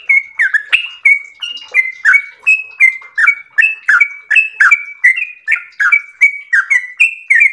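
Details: Long 'ropel' song of a chatty yellow-vented bulbul: over seven seconds of rapid, repeated mellow phrases, each a slurred dip then a bright level whistle, with scratchy clicks between notes.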